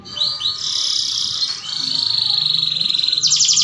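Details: Breeding-condition canary singing to encourage mating: rising whistled slurs leading into a long high rolling trill, shifting to a lower steady trill, ending in fast sharp pulsed notes; faint low hum beneath.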